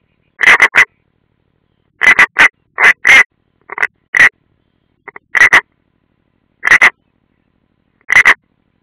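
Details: European rollers at their nest, Ādaži training ground, Latvia, summer 2016: a series of short grating calls, often doubled, spaced irregularly with quiet gaps between.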